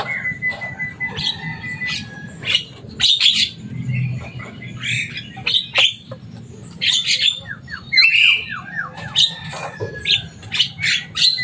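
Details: Loud, chattering Javan myna kept in captivity, known for mimicking speech, delivering a long stream of grating squawks, clicks and thin downward-sliding whistles in uneven bursts, with a low hum underneath.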